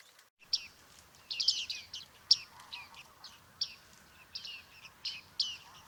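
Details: Bearded reedling at Liepāja, Latvia, July 2023: a lively series of short, high, twangy call notes, some in quick clusters, spaced irregularly over roughly six seconds with a soft background hiss.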